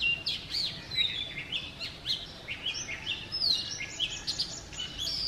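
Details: Morning song of a male Oriental magpie-robin outside a house in Sialkot, Pakistan, a continuous string of short sweet whistles, chirps and downslurred notes, each phrase different, over faint ambient noise.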